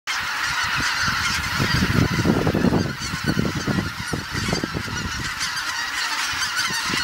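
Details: Geese returning to Kabukuri-numa marsh in Japan after sunset; a dense flock chorus of overlapping honks forms a continuous loud clamor with no pauses.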